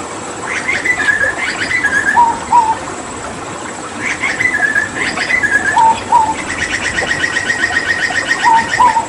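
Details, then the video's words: Papuan hooded butcherbird producing paired bright whistles alternating with lower warbled notes, ending in a fast string of buzzy repeated chirps, all over a faint background hum. "Masteran Tembakan JAGAL PAPUA gacor"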